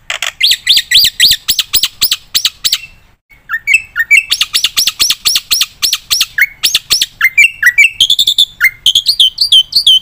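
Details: Black-winged myna in full, persistent song: rapid bright chirps repeated in quick bursts, a short pause near three seconds, then lower slurred whistles mixed with fast, high repeated notes.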